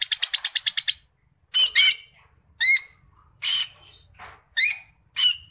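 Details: A creamino rosy-faced lovebird singing: a fast burst of about eight sharp chirps, then harsh, buzzy screeches and squeaks at irregular intervals, high-pitched and shrill.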